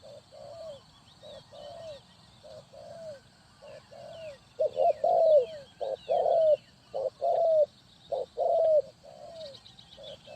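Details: Spotted dove from Ninh Thuận used as a trapping decoy, cooing in rhythmic phrases: short clipped hoots followed by a louder, drawn-out coo that slurs downward, repeated roughly every second, with faint chirps of small birds higher up.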